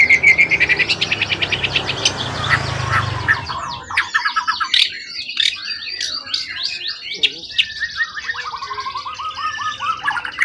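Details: Wild-origin event bird with a tail over 20 cm, long kept and unflustered, singing loud rapid chattering bursts and trills over early background noise, later clearer stuttering phrases and descending note runs.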